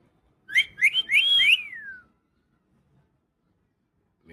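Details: Tame pet parakeet, described as a talking bird: four quick rising whistled notes run into a long sweeping whistle that slides downward, all within about a second and a half, followed by quiet.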